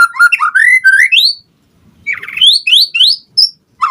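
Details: White-rumped shama, a lure recording meant to provoke other birds to answer: loud rising whistled phrases climbing from low to high in quick series, a short pause, then more rising whistles and sharp high notes.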